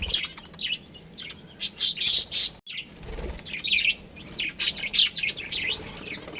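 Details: Pet budgerigar colony including a breeding pair, bursts of bright chirps and squeaky warbles separated by short quieter gaps, with a faint low knock.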